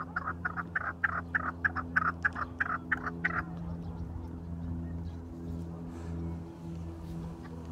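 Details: Farmed chukar partridge giving a rapid run of harsh clucking notes, about three per second, for roughly three seconds before falling silent, over a steady low mechanical hum.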